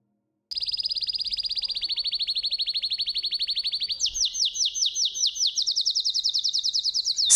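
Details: Belgian canary song: a long, loud, even trill of fast repeated notes held for several seconds, then changing to a slightly higher, more separated rattling series of downslurred pulses.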